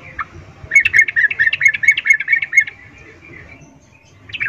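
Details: Yellow-vented bulbul female calling males with the 'ngecuplik' breeding-season call, a lure to spur singing; a quick, slightly uneven chatter of a dozen-plus clipped notes lasting about two seconds, then a lone note near the end.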